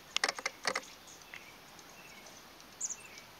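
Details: Chestnut-backed chickadee, recorded February 11, 2023: a quick burst of high, harsh, sputtering notes, then a few faint thin peeps, over a steady high-pitched background hiss.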